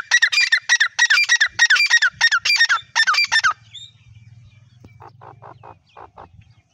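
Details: Grey partridge, called white teetar; loud harsh squawking notes in rapid grating bursts for about three and a half seconds, then a low hum and softer short repeated notes.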